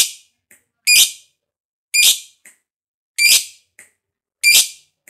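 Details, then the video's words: Shrill, grating lovebird shrieks from a fighter bird of the 'ngekek panjang' type, used to rouse other lovebirds into song: four loud bursts about every 1.2 seconds, each trailed by a soft brief chirp, on a silent background. "Pancingan Lovebird Ngekek Panjang SUPER FIGHTER"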